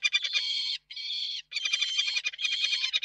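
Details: Peregrine falcons courting at the nest site in Reda, Poland, 19 March 2024, perched on a carpet-beater frame: harsh, rasping chattering calls in long bursts of rapid pulses, with two brief pauses and otherwise quiet background.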